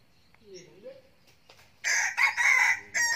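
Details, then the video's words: Crowing of a young male red junglefowl used as a decoy bird. After faint background sounds, a loud, harsh, broadband crow arrives in stuttering segments broken by short gaps. "Gà tơ siêng gáy, gà rừng mồi"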